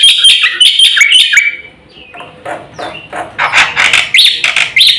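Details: A black-winged myna sings a busy song for use as a lure recording, mixing fast chirps, slurred whistles and scratchy notes in quick succession after a short lull.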